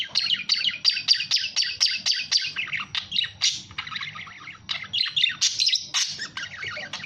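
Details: Budgerigar chattering nonstop: rapid, high, scratchy chirps and warbled notes in quick bursts, roughly two a second, with a faint low hum beneath.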